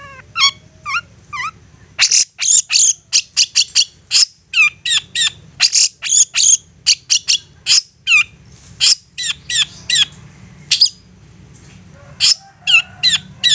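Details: Insistent long-tailed shrike song used to provoke other shrikes into replying: opening downward-slurred whistles, then a long rapid series of sharp high chirps and harsh rasps, roughly two or three notes per second.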